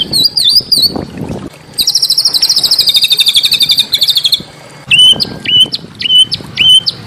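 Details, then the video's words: Small songbirds used as a training recording to make a white-rumped shama sing: bouncing whistled notes, then a fast even rattle of high buzzy notes, then sharp repeated rising whistles. "masteran burung kecil agar murai batu gacor"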